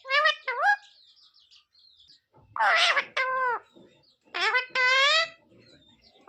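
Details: Talking parrot giving short voice-like phrases with bending pitch, one harsh raspy note, and several pauses between outbursts.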